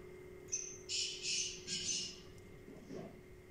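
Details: Black francolin, known locally as kala teetar, gives a grating call of about four hoarse, scratchy notes in quick succession, then falls quiet. A steady low background hum runs throughout.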